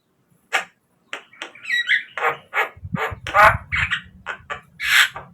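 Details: Javan myna song played as a lure to get captive birds singing: harsh, broadband chattering notes in irregular bursts, with a low rumbling noise underneath midway.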